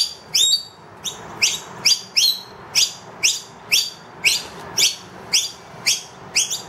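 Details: High, piercing chirps sweeping upward, given about twice each second by a wild noisy miner with two young inside a room, calling for more food because the feeder is empty.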